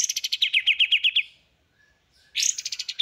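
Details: Songbird in a masteran training recording for songbirds: a quick run of bright chirps in a stuttering trill, a second and a half of quiet, then a high rising burst of rapid notes.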